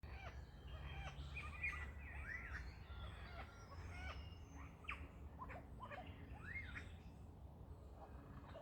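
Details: A lyrebird heard on a walk pours out a rapid, varied string of chirps, whistled upswept and downslurred notes and rattles, each phrase different, over a steady low rumble.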